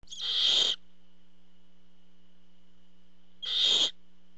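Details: Two loud, raspy hissing screeches from barn owls at the nest while the father brings food, each under a second and roughly three seconds apart, with a constant low hum underneath.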